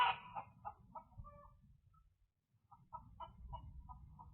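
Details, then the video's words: Chickens making loud sounds at 11 p.m. on March 3, 2023 in Independence, Missouri, caught by a security camera; a strong opening squawk, then a steady series of short, evenly spaced clucks over low rumbling noise. "Chickens making Loud Sounds at 11 p.m. at night"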